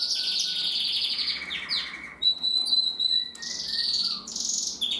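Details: Singing male canary, bred in 2021, delivering rapid rattling trills that drop in pitch, then clear flute-like whistles and quick rising rolls, a lively unbroken song with a quiet background.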